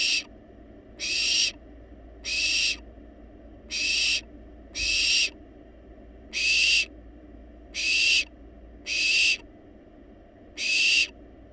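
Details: Nest-box barn owl babies, wild and well fed yet still begging: a steady run of nine or so harsh hissing screeches, evenly repeated about every second, with background hum.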